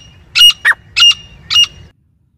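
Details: A female grey francolin calling non-stop in jungle, recorded for use in hunting, gives four harsh, loud, squawking notes in under two seconds, unevenly spaced, over a low rumble of background noise.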